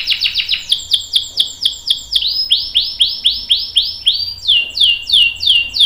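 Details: Canary song used as a master for young canaries: quick series of curved sweeping whistles, about four per second, changing to slower arched notes and then a run of descending chirps.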